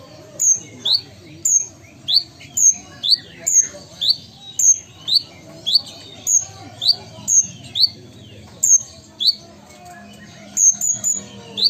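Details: A vocal ruby-cheeked sunbird (Chalcoparia singalensis) of Sumatran origin sings a steady run of thin, high, sharp notes, each a quick down-slurred chip, about two per second, with little else heard.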